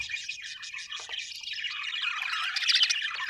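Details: Budgerigars, called happy Australian birds, twitter constantly. Fast, busy, overlapping chirps and warbles build slightly louder toward the end.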